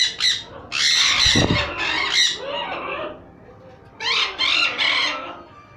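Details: Pied sun conures, Holland imports held for sale, letting out piercing, grating screams in long overlapping bursts, a short pause, then three more sharp shrieks, with a low thump partway through.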